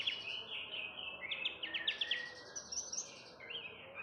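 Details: Javan bush lark song used as a lure to get other birds singing: high chirps and quick buzzy trills, some repeated notes rising and falling, with a steady low background hiss.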